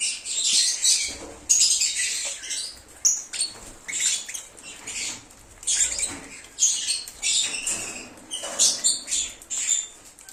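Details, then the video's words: Cheerful lovebird chatter, offered to coax a runaway lovebird home: a near-continuous run of piercing, high, scratchy chirps and squeaks in quick, irregular bursts. "SONIDO DE AGAPORNIS. Reclamo ,cómo canta un Agapornis o INSEPARABLE."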